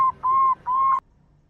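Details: Perkutut, a local zebra dove, in the big 'kung' style, played to coax birds into singing: three clean whistled notes at one steady pitch, a short one then two longer ones, before a sudden stop.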